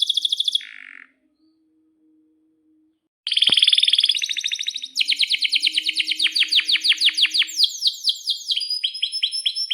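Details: A vigorous canary sings a long rolling song, played to spur other canaries and teach young birds. A high trill breaks off into two seconds of silence, then resumes as rapid, shifting chattering tours and high sweeping notes.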